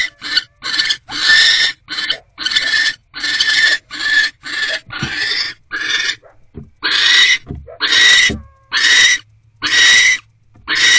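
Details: Rasping barn owl screeches from nest box C, 20 January 2024 at 10:17 pm, during a rodent delivery and mating; broad hissy bursts about once a second, briefly pausing midway before resuming.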